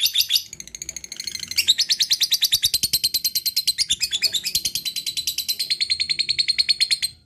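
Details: Lovebird giving its ngekek, a long chattering song: rapid harsh chirps repeated about three per second for over seven seconds, briefly faltering near the start, then running steadily to the end.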